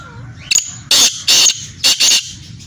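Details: Kala teetar, the black francolin, giving a loud rasping call: a brief clipped note, then longer scratchy notes grouped in pairs over roughly two seconds against faint low background rumble.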